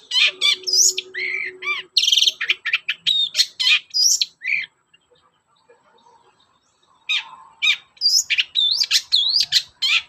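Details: Long-tailed shrike in full morning song as a lure for other shrikes: bursts of sharp varied chirps and slurred whistles, then about five seconds of near silence before a fresh run of rising whistled notes.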